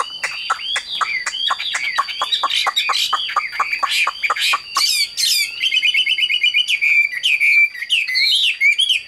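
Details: A large-bodied Chinese hwamei sings nonstop, machine-like, a loud, rapid song of varied rising and falling whistles, fast repeated notes and trills, with a faint steady high tone behind it.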